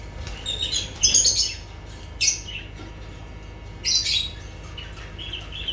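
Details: Lovebird calls in loud, raspy squawking bursts, three main outbursts with softer chirps trailing after, over a steady low hum.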